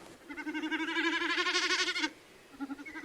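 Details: Common snipe drumming at night over grassland or marsh: a hollow, bleating, rapidly throbbing hum lasting about two seconds, made by air passing over its fanned-out tail feathers rather than the voice. A fainter second burst begins afterward.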